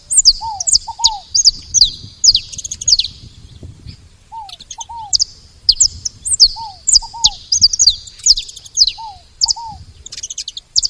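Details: Saffron finches chirp steadily at a feeder: quick runs of sharp, high, falling notes, with paired lower slurred notes repeated every couple of seconds.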